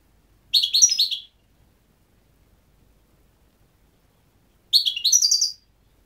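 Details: Goldfinch producing two short, separate twittering bursts of high, tinkling notes several seconds apart, with silence between them.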